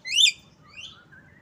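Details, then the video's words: Asian pied starling, known locally as jalak kebo: one loud, rising harmonic squawk-whistle sweeping upward, followed by a fainter rising note and a soft low whistle. "Bird Song Jalak kebo"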